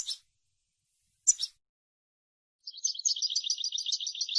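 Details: European goldfinch song for teaching chicks: two brief scratchy bursts separated by silence, then a sustained run of rapid high twittering notes.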